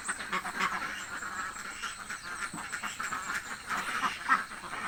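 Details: Hungry ducks in a village give a dense, overlapping run of nasal quacks at moderate distance, many birds calling at once with no clear pauses.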